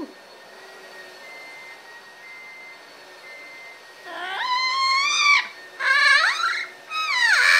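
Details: Pet male double yellow-headed amazon parrot, happy after a bath; faint indoor beeping tones at first, then three loud, harmonic rising and falling squawking calls close together near the end.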